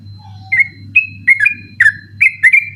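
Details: Sooty-headed bulbul at night, recording for training other birds: five short whistled phrases, each a bright note sliding downward, spaced about half a second apart over a low hum.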